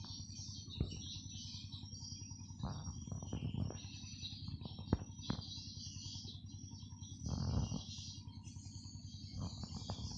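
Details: Swiftlets at a swiftlet house in Nunukan, North Kalimantan, recorded by phone at 17:00 on 19 July 2020 during playback of a rainy-season lure call. Dense high twittering chatter runs throughout, over a steady low hum with occasional knocks and thumps.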